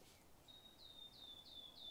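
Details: Wood warbler singing unseen in oak-woodland trees on Exmoor in spring: a thin, high note run into a quick series of slightly falling ticks, about three per second, with a lovely finish at the end, faint over soft outdoor noise.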